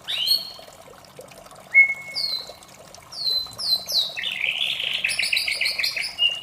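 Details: Morning song of a white-rumped shama: sharp opening notes, a long level whistle, then quick varied whistles building into a dense, fast trilled run, with a soft continuous rushing background.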